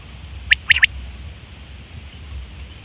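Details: Quail call from September 2023, used for hunting and mating: one quick burst of three sharp, high notes, then quiet low hum for the rest.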